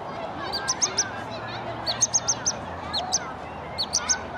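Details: Pygmy nuthatch chirping: short, high, piping notes in quick clusters of three to five, repeated about every second and a half over a steady low background hum.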